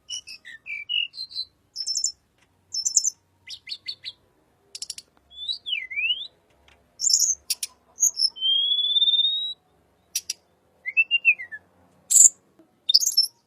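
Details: Little pied flycatcher, lure recording for white-rumped shama: a long varied medley of high chirps, buzzy rattles, swooping and long thin whistles, and a short arched note.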